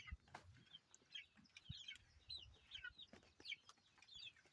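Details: Young chickens chirping faintly through background hiss: scattered high peeps and short descending notes from several chicks, with soft thumps and low rustling underneath.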